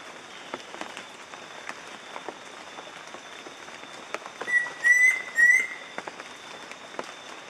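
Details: Yellow-breasted antpitta (Grallaria flavotincta), near endemic, at Montezuma in the western Andes of Colombia, 2014: two or three clear, level whistled notes in quick succession over steady dripping and constant high insect hiss.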